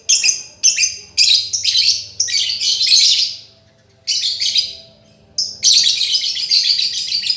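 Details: Lovebird singing for a master recording meant to restart a silent lovebird: long harsh, buzzy chatter bursts run almost continuously, break off into a brief silence, then resume with more rasping chatter.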